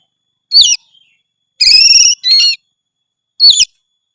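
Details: Oriental magpie-robin singing full phrases: a sharp descending whistle, then a rich buzzy warbled burst with layered high notes, another rapid trill, and a final quick falling whistle, with silence between phrases.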